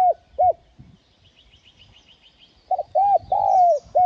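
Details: Spotted dove cooing to lure wild birds: two short arched coos, a quiet gap with faint chirping from another bird, then a run of coos ending in a long falling note.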